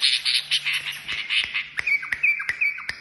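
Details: Kashmiri songbird singing a string of rough, buzzy notes, then clear whistled slurs, with sharp regular clicks throughout.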